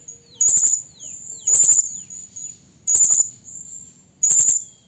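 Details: Blue-crowned hanging parrot lure call for trapping, given by a female calling the male. Four loud, shrill, very high bursts roughly every 1.2 seconds, joined by thin steady whistles and a few brief falling notes.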